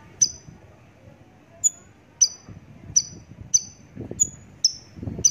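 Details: Javan bush lark song given as a series of short, sharp, high descending whistled notes, roughly one every half second to second, over a faint low rumble of background noise.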